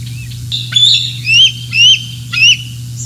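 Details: Morning at Decorah North, 27 June 2024, with fish brought and eaten: a bald eagle gives four sharp, high whistled squeals, each sliding upward then dropping, about half a second apart, above a constant low electrical hum.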